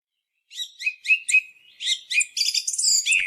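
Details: Song thrush heard on a hunting lure recording, singing short bright phrases of sharp high notes, several motifs repeated two or three times in quick succession, ending in a burst of rapid squeaky notes; no other sounds.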